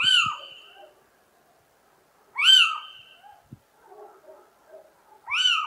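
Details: Little owl song: three loud, ringing, mewing notes, each rising then falling, spaced about two and a half seconds apart, with faint lower murmurs and small clicks between them in an otherwise quiet setting.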